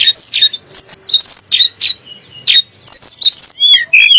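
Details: Sunda blue robin, called tledek gunung, whose song is said to rile magpie-robins and shamas: bursts of sharp high chirps and short whistles separated by brief pauses, ending in clear slurred whistles.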